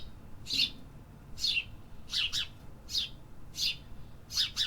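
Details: City birds singing: bright descending chirps about every 0.8 seconds, some given as quick doubled notes, over a soft urban rumble.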